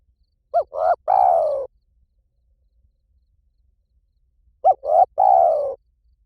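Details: Spotted dove in the Liw Tan song style, used as a lure to train a dove to call back: two full phrases, each two short rising notes and then a long, throaty, falling coo, separated by quiet.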